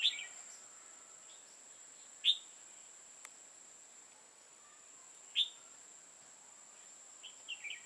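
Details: Decoy red-whiskered bulbul singing during a trapping session, 5 October 2018: loud, clipped, sharp notes spaced about every two to three seconds, with softer chirps near the end and a constant high-pitched whine behind.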